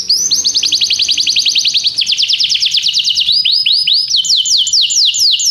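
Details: Canary singing in an unbroken run of fast, evenly repeated downslurred trill notes, high and bright, the tour shifting to a slightly lower, slower series of sweeping notes about halfway through; meant to make another canary start singing.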